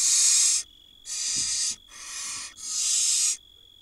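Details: Four loud, drawn-out hissing screeches come from barn owl nestlings begging from their mother at an Israeli nest in 2022. Each lasts over half a second with brief silences between, backed by a faint steady whine.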